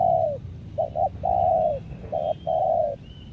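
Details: Lombok decoy spotted dove sings a long falling coo, two short notes, another long coo, then a short and a long coo, run together with almost no gaps.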